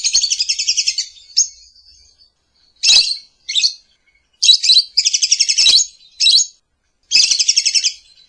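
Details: Lovebird singing a morning master song used as a lure: long buzzy trilled chatters alternating with short sharp high chirps and pauses.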